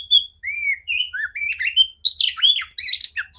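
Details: Song of a female oriental magpie-robin, used to train other birds: clear long whistled notes at differing pitches, then rising slurs and harsher buzzy, squeaky bursts, with a faint low regular ticking beneath.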